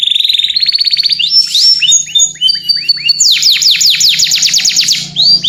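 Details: Canary calling out to its companion: opens with a fast rattling trill, then mixed whistles and a long series of sharp falling notes.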